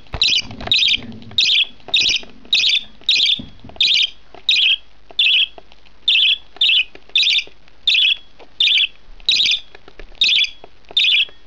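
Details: During feeding, a month-old budgerigar chick gives a long run of rasping begging squawks, each about half a second, repeated steadily near every 0.7 seconds, with brief low thumps early on.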